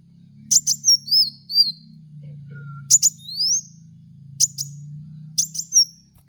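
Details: Training lure recording of a kowul sunbird, also called kolibri kaca: sharp high ticks followed by upward-sweeping whistles and short wavering notes, phrases repeating roughly every 1.5 seconds above a faint low drone.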